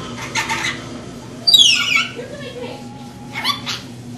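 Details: Pet rainbow lorikeet, female, talking indoors: a raspy word, then a sharp descending whistle-like sound, a quiet pause, and two more short speech-like syllables, all over a low constant hum.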